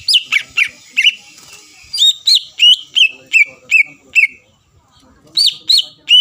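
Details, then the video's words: Greater green leafbird song to provoke rivals to answer: bright whistled slurred notes in short bursts, about two or three per second, separated by a silent gap before a final trio. "PANCINGAN CUCAK IJO GACOR MEMANCING EMOSI LAWAN LANGSUNG NYAUT"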